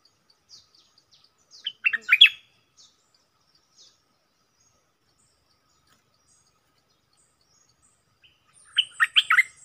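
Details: Decoy red-whiskered bulbul, heard as two short bursts of bubbling, whistled notes far apart, with faint high ticks before the first burst and near silence in between.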